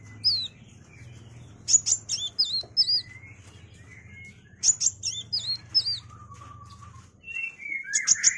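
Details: Sunbird, kolibri wulung, used as a tutor song for shamas: clusters of very high, sharp hooked notes and quick ticks, with lower drawn-out whistles and a faint low hum beneath.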